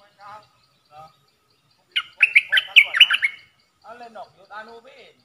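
Stripe-throated bulbul giving a loud, bubbly burst of quick liquid notes lasting over a second, framed by softer, shorter chattering phrases before and after.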